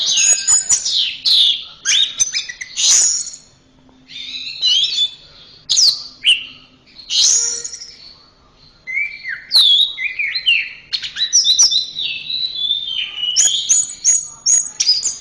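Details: Orange-headed thrush song used to train caged birds: varied, rich phrases of sweeping whistles, buzzy notes and rapid twitters, delivered in bursts separated by short pauses, loud and close.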